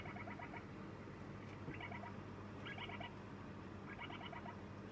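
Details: Begging lineolated parakeet chick, fed on its second day at a new home, gives four clear bursts of rapid pulsed chirping, each about half a second long, over steady low-pitched hum.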